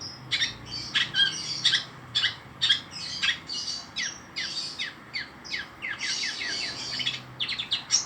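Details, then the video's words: Long-tailed shrike giving lively, scratchy chatter: irregular bursts of harsh squawking notes and quick high chips, a few whistles mixed in. "Burung pentet gacor full habis"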